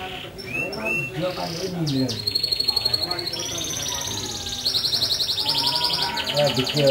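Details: Canary song of thin, high whistles and short chirps, building into a long, sustained, rapidly pulsing buzzy trill that holds a steady pitch, with a low murmur beneath.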